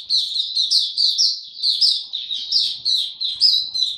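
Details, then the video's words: Oriental white-eye in ramp-up form: a continuous, loud, high-pitched twittering song of rapid, slurred chirps that rise and fall, delivered without a break over a quiet background. "Mata Puteh Dagger ramp up form buka tiong aw sing"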